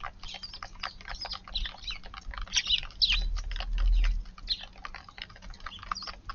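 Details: Eurasian tree sparrows visiting a garden early on a February 6 morning, arriving after a brown-eared bulbul moved off; short bright chirps scattered among dense rapid tapping and clicking, with low rumbling noise in the background.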